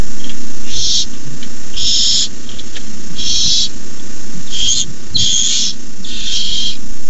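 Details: Barn owl young hissing in the nest at night, 18 May 2015 at 9:57 pm, during an adult's rabbit delivery; six harsh noisy bursts in quick irregular series, some longer than others, against a low droning hum.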